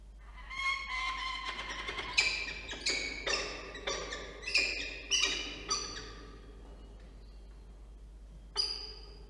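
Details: Peregrine falcon pair at a nest camera in Orange, New South Wales, 14 September 2024, during a changeover where the male, after only half an hour, would not give way to the female; harsh, harmonic calls repeated about twice a second, then a pause and one last call.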